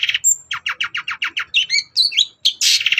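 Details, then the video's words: Long-tailed shrike morning song used to goad other birds into calling: a steady series of about eight downslurred, buzzy notes, then quick whistled twists and a final harsh rasp. "SENSASI CENDET GACOR PAGI HARI BIKIN BURUNG APAPUN EMOSI NYAUT BUNYI"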